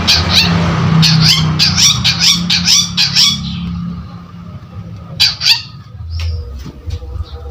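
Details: Long-tailed shrike in full voice as a sound lure: a fast run of about seven harsh chattering notes, then a lull, then a few scratchy calls and softer ticks, over low rumbling noise.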